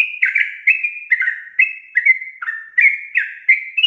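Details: Sooty-headed bulbul, lively gacor song in long 'ropel' style. Bright, clear whistles follow one another every half second or so, alternating higher and lower notes in a steady bubbling chain.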